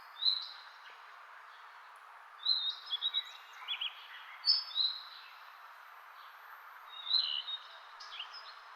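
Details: Birds chirping: high thin whistled chirps and short tweets in scattered bursts, some in quick triplets, over a steady background hiss.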